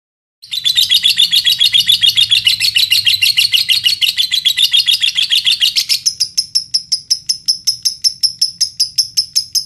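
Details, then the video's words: Lovebird in Indonesia singing as a lure to provoke other lovebirds into song: about five seconds of dense, rapid, high-pitched chattering trill, then a run of separate sharp chirps at roughly two per second. "Pancingan lovebird paling ampuh"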